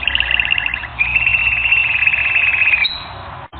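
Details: Canary song for training, made of very rapid, even pulse trills at two pitches that switch after a second into a long, steady, slightly lower rattle, ending with a brief higher whistle.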